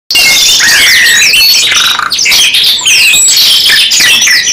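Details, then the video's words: Canary song from two birds singing together, long continuous bursts of rapid high chirps, trills and sweeping whistles with buzzy rolled phrases, dense and loud throughout. "KENARI 2 IN 1 GACOR NEMBAK PANJANG | CANARY SINGING"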